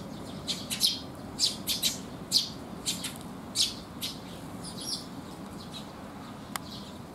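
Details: On a rainy 19 June 2021, Eurasian tree sparrows gather at a resting place to be fed, giving a quick run of sharp high chirps early on, then sparser notes and one brief click near the end, with a low hiss beneath.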